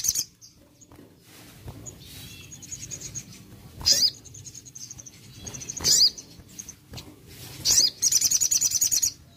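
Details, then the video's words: Crested jay (sogon) gives shrill, high rattling bursts about every two seconds with thin, sustained high whistles between, played as a lure to make quiet jays respond. "Sogon Malas Bunyi Langsung Respon Dengar Sogon Ini"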